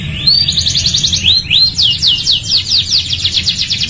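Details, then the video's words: Canary in full song for training other canaries: a few rising whistled slurs open into a rapid trill of down-slurred notes repeated several times per second. "MASTERAN TERAPI KENARI GACOR | CANARY SINGING"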